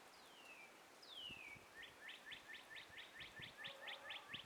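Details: Morning sunrise birdsong in trees with a gentle breeze: two drawn-out falling whistles followed by a fast regular string of about eleven crisp chirps, with a fainter lower bird note beneath and steady breeze hiss.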